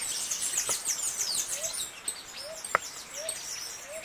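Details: Sicalis flaveola, the saffron finch, giving its canto estalo song: a rapid stream of high, sharp chips and slurred notes, with soft rising notes repeating lower down and a single loud click.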